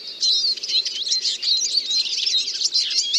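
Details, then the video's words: Eurasian siskin song, a continuous high, buzzy twitter of rapid chirps blended with thin whistled notes throughout. "The song of the Eurasian Siskin"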